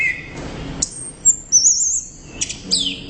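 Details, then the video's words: Orange-headed thrush in loud, lively song: a long thin high whistle wavering up and down, then quick sharp chirps and a falling slurred note. "ANIS Merah Gacor Volume Keras Teler Mantap"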